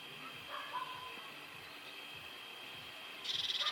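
A Eurasian blue tit gives a quick, high, bright trill of rapidly repeated notes near the end, over a steady high hiss and a few soft lower notes.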